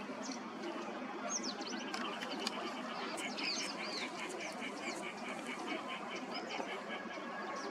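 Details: Green-winged teals, male and female, calling: short high whistled notes rising and falling, over a rapid run of evenly repeated clipped notes, with faint chirps from other birds and a steady background hiss.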